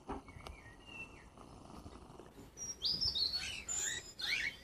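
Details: Cockatiels at an animal shelter in Guernsey, awaiting an aviary home, give a few bright, high whistled chirps sliding up and down in a quick burst after a quiet start, with faint background noise.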